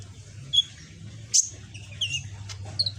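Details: Young caged sunbird, green-plumaged red-backed, still learning its song phrases: three brief high thin chirps spaced about a second apart, with a steady low electrical hum behind.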